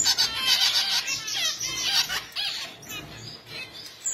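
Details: Finch calling in quick, high, squeaky chirps, a fast stuttering run that starts loud and fades toward the end.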